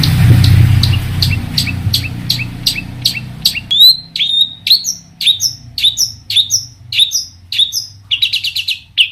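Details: Long-tailed shrike in full, varied song meant to provoke other shrikes into answering: a series of short sharp high notes, then ringing downslurred whistles and a fast buzzy chatter at the end, with low rumbling noise during the opening seconds.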